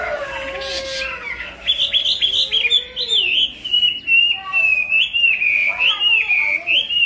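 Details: Hwamei singing a loud, varied song of clear whistled phrases that slide up and down, with quick warbled notes weaving between longer fluting sweeps.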